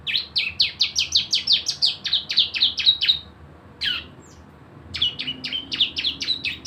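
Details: Javan white-eye delivering 'nembak bren' lure song to draw out other singers: a steady, rapid string of high chirps for three seconds, one isolated downward note, then another fast series.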